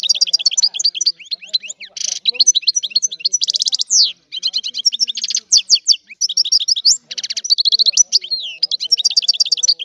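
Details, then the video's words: Goldfinch song in a long continuous run of bright, liquid twitters, interspersed with rapid buzzy trills and brief pauses between phrases. "تغريد الحسون"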